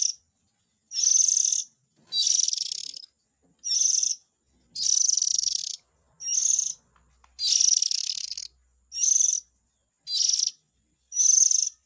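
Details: Series of white-rumped shama chick calls used as a lure for adult birds: about ten scratchy, hissing high bursts, each under a second, given steadily with short silent pauses.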